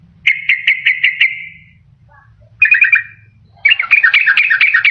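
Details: Sooty-headed bulbul lure for attracting birds in the wild and encouraging quiet ones to sing: a row of six quick chirps, a short warbled double phrase, then a dense chattering burst over faint low hum.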